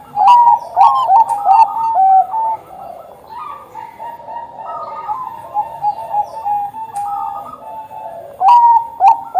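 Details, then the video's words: Zebra dove of the Bangkok type in full song, kept to coax other birds into singing; overlapping, rolling coo phrases, loud at the start and end with a softer, murmuring middle, like more than one dove cooing. "perkutut bangkok gacor - buat pancingan perkutut bangkok agar cepat bunyi"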